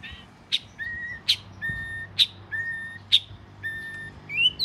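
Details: Southern Thai Oriental magpie-robin, the household's first, alternates sharp high clicks with steady level whistled notes, about one pair every second, finishing with a rising whistle; faint low hum behind.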